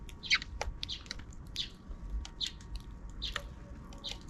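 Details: Several sparrows off camera in the afternoon, calling out of view: short, bright, high chirps in irregular bursts about every half second, some overlapping, over a faint steady low rumble.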